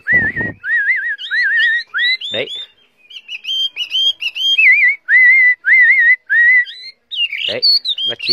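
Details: Chinese hwamei, a tame caged bird carried in its cage, repeats loud wavering whistled phrases about twice a second, shifting between lower and higher versions, with a few sharp clicks.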